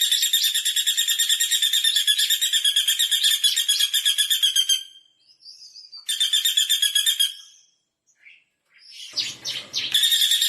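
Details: Common flameback giving long, fast, dry rattling trills of even high-pitched notes, first about five seconds unbroken, then a shorter burst and another at the end, with faint chirps from other birds in the pauses.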